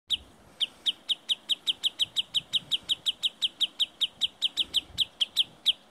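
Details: Sandpiper in the hills near Murmansk, leading an intruder away from its nest: sharp, high, clipped notes repeated steadily about four times a second, around two dozen in a row, over quiet background.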